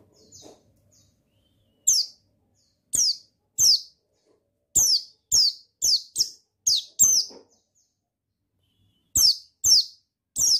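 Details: Male buxtoni white-eye repeating bright, steeply falling chirps, singly and in quick runs of four to six, with longer quiet spells. The sound is used to stir lazy birds into full song.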